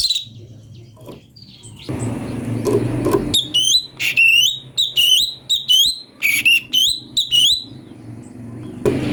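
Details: Ashy bulbul song used as a master for magpie-robins: after low background noise, a series of about ten clear, downward-slurred whistles spaced roughly a third of a second apart.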